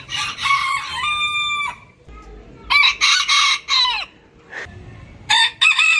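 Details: Roosters from a compilation of various crowing styles. A long harmonic crow holds a level pitch for over a second, then a quick run of shorter, abrupt crows follows, and two more bursts come at the end. Sharp cuts separate them, with quiet gaps between.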